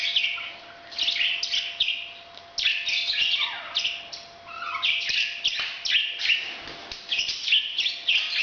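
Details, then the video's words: Busy, scratchy parrot chatter linked to breeding: rapid harsh notes, squeals and a few downward-sliding whistles tumbling together in dense runs, backed by a low steady hum. "bird's breeding sound"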